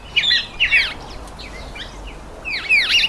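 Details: Red-faced mousebirds at a birdbath give clusters of high, down-slurred whistles in overlapping bursts, loud at the start and again near the end, with softer chirps between.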